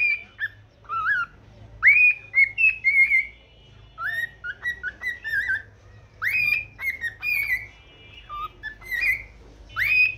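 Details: A pet cockatiel whistles its morning song, with swooping upslurred notes and short wavering whistles in repeated phrases of three to five notes, interspersed with faint chirps.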